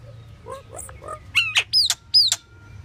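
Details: Pied myna giving soft gurgling notes followed by a loud harsh squawk and two sharp, high whistled calls that slur downward.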